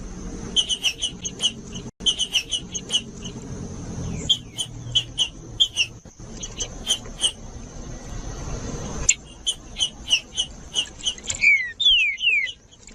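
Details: Green-winged saltator singing in the Judas song style, used to warm up and stimulate other birds to sing: rapid bright whistled notes repeated about two or three per second, broken by brief gaps, ending in a few quick descending slurred whistles.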